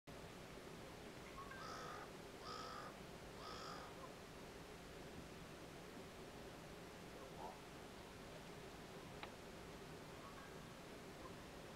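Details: A common raven at a feeding site in Sweden gives three harsh, hoarse calls, about one per second, then falls quiet; a steady low background rumble and a single sharp click follow.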